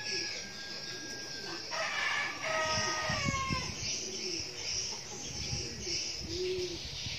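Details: Young decoy red junglefowl from Vietnam crows once, a harsh, stepped call of about two seconds that drops at the end. A steady high buzz of insects runs throughout, with faint low rustling.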